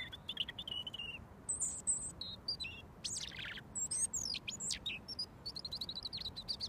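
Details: Robin singing at close range before being fed mealworms, a bird hand-fed daily for over a year; varied high warbles, sharp descending slurs and very high squeaky notes in quick succession.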